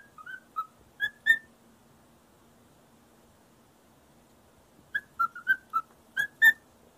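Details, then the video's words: A pet parrot whistles a learned tune, likely "Shave and a Haircut", to a feather duster in short clear phrases: three quick notes in a burst, a pause, then a longer run of six whistles. "sings to a feather duster"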